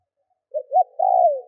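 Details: Single three-note phrase of a decoy spotted dove provoking wild birds: a soft low note, a short stronger coo, then a sustained, slowly descending hoot, with no background noise.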